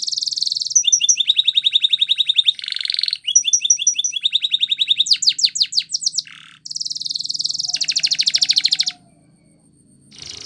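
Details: Timbrado canary singing a training song: long runs of fast repeated notes, a dense high trill, a short buzzy lower rattle, then rapid downslurred chips and a prolonged metallic trill that stops abruptly near the end.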